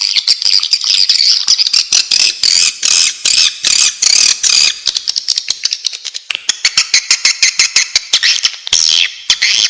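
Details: Swiftlet calls for luring the birds: nearly ten seconds of loud, buzzy high chattering, first in long grating bursts, then broken into rapid repeated clicky chirps.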